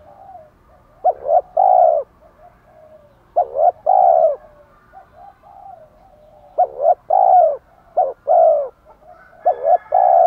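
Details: Spotted dove cooing, male and female birds, used to provoke a captive male into cooing: repeated groups of quick broken notes followed by full rounded coos, four phrases spread over ten seconds with quiet gaps.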